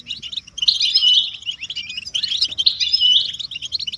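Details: Collective goldfinch twittering, described as mating and readiness calls used to rouse silent caged males into song; continuous bright chattering of quick notes and short whistles, swelling in two long dense phrases.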